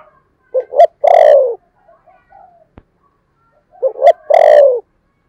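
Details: Two 'thúc bổi' phrases from a spotted dove used as a decoy, 'thổ' voice style. Each has a clipped double note and then a loud, rich, falling coo with bright overtones. A sharp click sounds between them.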